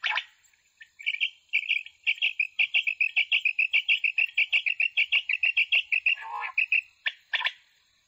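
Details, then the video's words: Common quail, October 23, 2020: a battery-powered night quail caller set up for hunting, kept in a box against rain, plays a fast steady run of bright clipped notes, about four a second, with a softer lower sound briefly intruding. "Quails sounds | night quail sounds | common quail sounds"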